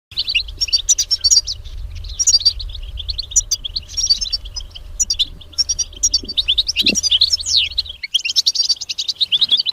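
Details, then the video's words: European goldfinch in the wild singing a continuous, rapid twittering song of tinkling, buzzy and liquid high notes with quick trills, steady low rumble of background noise. "Jilgueros en la naturaleza beautiful stimulation of goldfinch"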